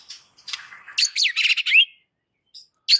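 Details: White-rumped shama in aggressive, fighting-mood song used as a training master: a dense, harsh, buzzy burst of scratchy notes and sweeping slurs lasting about a second and a half, then a brief sharp note.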